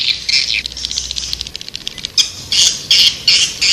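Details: Lure call to attract white-nest swiftlets: quick high twitters at first, then loud harsh squawky chirps repeated roughly every third of a second.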